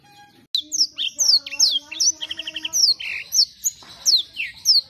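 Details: Canary song in lively gacor style: separate loud, high down-slurred chirps at a brisk pace, mixed with short buzzy bursts and a low steady hum behind.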